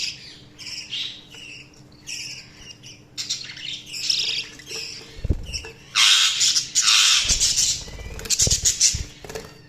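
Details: Pet budgerigars chirping and chattering, starting with spaced warbled phrases and building to dense loud scratchy squawking after six seconds, with occasional low thumps and knocks.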